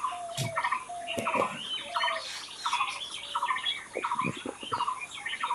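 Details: Outdoor birdsong: a mid-pitched note repeated about every half second in a steady run, layered over higher scattered chirps from other birds and a few faint knocks.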